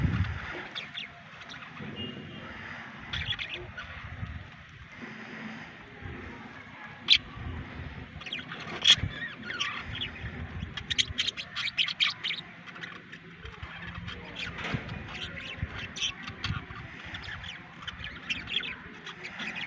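Budgerigars chatter in quick, scratchy chirps and warbles, with bursts of sharper squeaks throughout.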